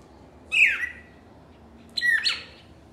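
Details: Two strong, harsh song notes from a cardinal, each a loud descending slur with a raspy edge, about one and a half seconds apart.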